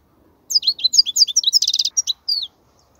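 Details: Wild European goldfinch song played for teaching young goldfinches: a two-second burst of fast, liquid twittering notes with a buzzy rattling trill near the end and a final downslurred whistle, set against silence.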